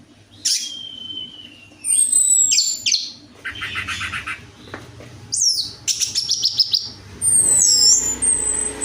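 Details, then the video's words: Orange-headed thrush lure song for a bird that rarely sings: varied phrases mixing sharp high whistles, rapid chattering trills and looping slurred notes, delivered in separate bursts with brief silences. "DENGAN PANCINGAN ANIS MERAH AMPUH INI, ATASI SUSAH BUNYI ANIS MERAH"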